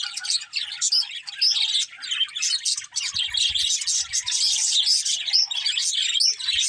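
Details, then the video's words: Chirping budgerigars, a crowded high warble of short tweets and trills pouring out without pause. "Cute Budgies Chirping Sounds"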